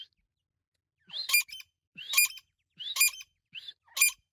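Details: Irani teetar (partridge) calling: five calls, each a short rising whistle sliding into a harsh, buzzy burst, repeated roughly every 0.8 seconds in a quiet setting.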